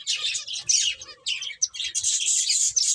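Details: Finches chirping while playing, apparently indoors in a small room: dense, high-pitched twittering and squeaky chirps overlapping almost continuously for three seconds, with several birds calling at once and brief pauses near one and a half seconds.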